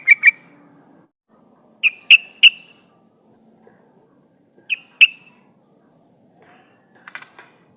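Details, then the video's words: Female yellow-vented bulbul calling for a male, played to lure wild birds: scattered sharp single and paired clipped notes, separated by pauses of one to two seconds, in a quiet setting. "SUARA burung trucukan gacor memanggil lawan pancingan trucukan betina memanggil jantan"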